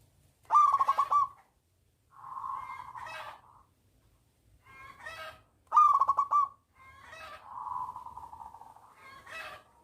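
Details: Local zebra dove with a big voice, singing to coax other doves to sing: loud rapid pulsed bursts, each followed by a long, steady, humming coo, repeated twice, with faint low rumbles underneath.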